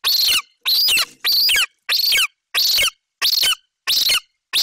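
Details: A golden eagle nestling in Bucovina calls loudly for about five minutes after its mother delivers a magpie, in July 2021. Very loud, harsh, strained screams, each sliding down in pitch, come in a regular rhythm with short gaps.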